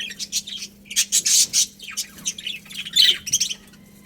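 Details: Chirping from a budgie colony: busy overlapping high twitters and squeaky notes, louder in the middle and again near the end, with a low constant hum behind.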